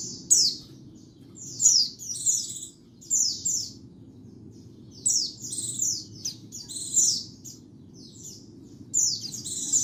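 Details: Lure and master song of a white-eye, cleaned of background noise: clusters of very high, sharply falling whistled notes come in bursts separated by brief pauses, over a faint low hum.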